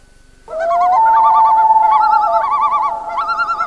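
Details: A common loon at night gives a rapid, wavering tremolo of quavering notes. A long wailing tone runs underneath and rises at the start.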